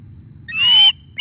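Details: Osprey at the nest during a fish delivery and a young bird attacking the male, late morning of 9 August 2021. One drawn-out, piercing whistled cry slides slightly downward, and a second cry begins right after it.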